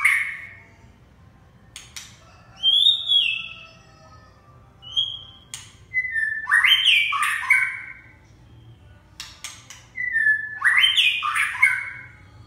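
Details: Red-whiskered bulbul singing: short bright whistled notes and quick slurred warbles, building into two loud, rich, rolling phrases near six and ten seconds, separated by quieter pauses, sharp clicks and a faint low hum beneath.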